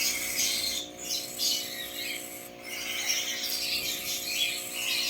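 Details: Three hand-fed Cockatiel chicks make a harsh, raspy, hissing wheeze that runs almost continuously, broken by two short pauses. Little else is heard.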